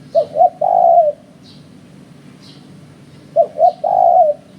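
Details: Spotted dove used as a trapping lure, its phrase of two short hoots and a long low coo given twice about three seconds apart, with faint high chirps in between.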